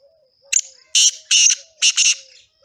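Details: Male black francolin singing: a sharp opening note followed by three loud, harsh, grating bursts in quick succession, the last two nearly joined, over a faint background of soft low whistles.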